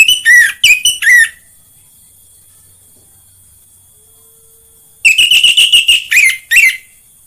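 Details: Orange-headed thrush (anis merah) song used as a lure to get kept birds at home singing: two loud bursts of slurred, ringing whistles with harsh notes, separated by several seconds of near silence over a faint steady high hiss.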